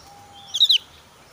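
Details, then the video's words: A highly excited Javan grey-throated white-eye in breeding season gives a rival-challenging call blended into a single sound; a brief, piercing cluster of three high twittering notes against near silence. "opior jawa gacor emosi tinggi"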